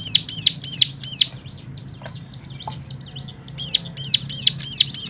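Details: Song played to spur other cigun to sing. High arched chirps come about three per second, then a gap of faint soft notes, and the rapid chirping returns.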